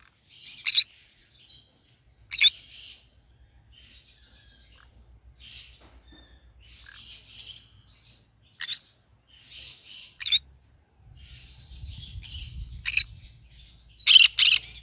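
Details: Singing pet green-cheeked conure: a long run of high twittering chirps broken by frequent sharp, harsh squawks, closing with two loud squawks close together; a faint low rumble underneath in the later part.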